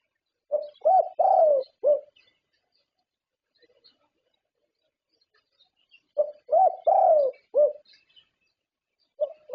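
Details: Zebra dove, a Thai contest champion, delivering two distinct song phrases about five seconds apart, each a quick run of four rolling coos, the longest gently falling, with near silence between.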